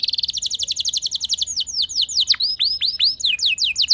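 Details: Canary pancingan song to make other canaries sing: a rapid stuttering trill of short high notes, slowing into a series of looping, downward-swept whistled notes repeated over two seconds.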